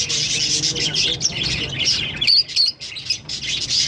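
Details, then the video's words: Busy high twittering from a green pair of Fischer's lovebirds, rapid overlapping chirps, then two or three piercing squeaks near the middle before the chatter resumes. "Lovebird Singing and Chirping Sounds- Green Fischer Pair"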